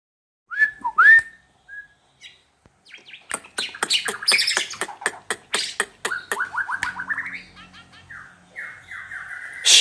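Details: White-rumped shama singing a song filled with imitations of wild animal sounds: a few clear whistled notes, then a rapid run of sharp clicks and rattling bursts, followed by descending buzzy note series and a final loud burst.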